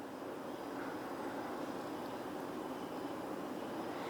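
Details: Steady broadband rumble like distant traffic or an aircraft fills the whole stretch, with no animal voices heard.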